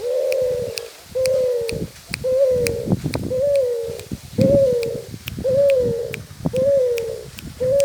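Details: Spotted dove cooing in a steady, regularly repeated phrase, each coo a low mellow note held about half a second, roughly once per second, with faint clicks and tapping in the background.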